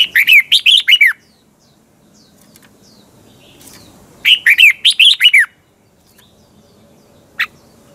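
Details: Training lure for caged birds: a red-whiskered bulbul singing its morning double twisted-voice song, two loud runs of rapid looping whistles about three seconds apart, then a single sharp note near the end.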